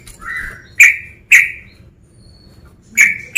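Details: Calling male sooty-headed bulbul aimed at a rival: a softer opening note followed by three loud, clicky chirps with short descending tails, spaced about half a second to a second and a half apart.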